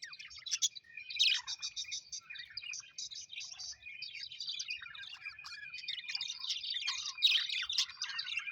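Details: Happy budgerigars twitter softly, giving a steady run of rapid ticking notes and thin warbles broken by occasional louder squeaky chirps.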